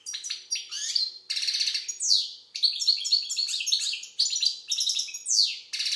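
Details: Algerian goldfinch singing almost continuously: rapid tinkling twitters, nasal buzzy phrases and descending slurred whistles strung together in quick, varied sequences with only momentary breaks.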